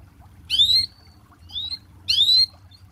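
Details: Canary, a lively gacor songster used as master material for training other canaries: three short, bright, upward-sweeping chirps with rich overtones, spaced about a second apart, over a faint low hum.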